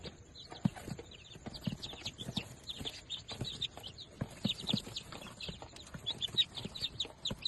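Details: Fifteen newly hatched, day-old Darag native chicks peep together in a dense chorus of high, short, downward-sliding cheeps that overlap continuously, with soft low thumps and knocks underneath.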